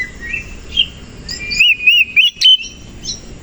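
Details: A koci-type Oriental magpie-robin sings in the morning while fanning its tail. Soft, wavering whistles build into a loud burst of short, rising, clear notes in quick succession, then fade back to quieter whistling.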